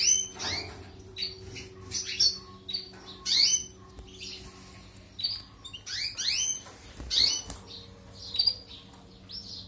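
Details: Singing European goldfinch used to train canaries: separate bursts of sharp, rising, slightly nasal chirps and twangy notes every second or two, between quieter gaps, over a faint steady hum.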